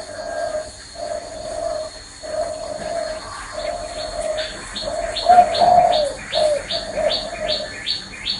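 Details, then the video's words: Spotted dove on a person's hand repeats steady, low, hollow coo notes in an even series, then a louder phrase, while rapid high chirps from other birds run behind. "CHIM CU Đậu trên tay vẫn gáy"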